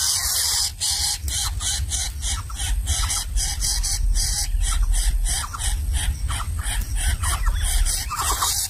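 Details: Greater coucal nestlings of different sizes in a nest, competing for food so that the smallest cannot get any; a rapid, steady series of harsh, hissing rasps, roughly two per second, continuing throughout.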